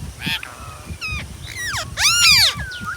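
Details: Ringneck parrot giving harsh arched squawks and a brief whistle, ending in a loud grating screech, over a low rumbling background.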